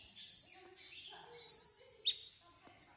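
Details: Three loud, very high drawn-out whistles from a bulbul, each about half a second long, separated by brief softer chattering notes.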